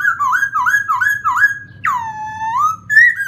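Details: Black-throated laughingthrush song with rippling, wavering whistles repeated in a steady series, then a long swooping note that plunges and slowly rises, ending in a bright short upslurred phrase.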